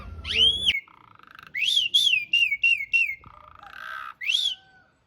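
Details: Asian pied starling training song, coarse long-roll filler: arched whistle, a rolling series of falling whistled notes, with buzzy lower tones between phrases.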